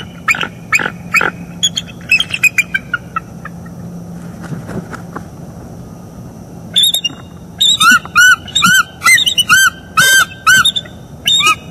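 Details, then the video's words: Morning vocals from a mated pair of bald eagles in northeast Florida, 25 October 2021, picked up by a nest camera as they mate. Scattered sharp chips, a quiet pause, then a fast series of repeated harmonic piping notes. "Bald eagles; morning mating and vocals"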